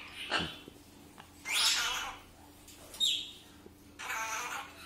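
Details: Blue-and-yellow macaw (Ara ararauna) giving harsh, raspy squawks in three bursts over about five seconds, with quieter chatter and some speech-like sounds between, while its owner talks to it.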